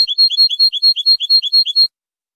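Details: European goldfinch song from a 2023 high-quality recording made for song tutoring: a high, bright phrase of paired twittering notes repeated about five times a second for nearly two seconds, then silence.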